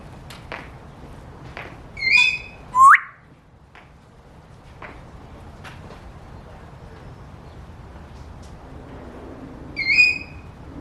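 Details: Pet African grey parrot imitating bird sounds: a bright whistled note with overtones, then a quick rising whistle, a quiet pause with faint clicks, and the same bright whistle again near the end.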